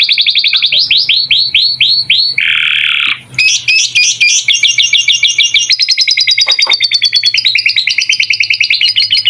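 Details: Domestic canary singing a long tutor song with lovebird-style phrases, used to train young birds: fast repeated chirps, a buzzy roll, then rapid high trills and sweeping whistled notes, with a faint low hum behind.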